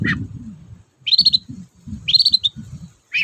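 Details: Long-tailed shrike sound used to coax reluctant birds into song. Drawn-out, slightly rising whistled notes repeat about once a second over a rumbling low background murmur.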